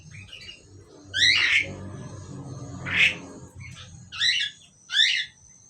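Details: Caged pair of Asian pied starlings giving raspy squawks and a short whistled note, four or five loud bursts about a second apart over a steady low hum and a thin high tone.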